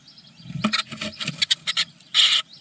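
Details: First Eurasian blue tit nestlings in Germany at the morning feeding, a brood from ten eggs; a rapid sequence of dense, scratchy begging bursts ends in one longer, louder hiss-like burst.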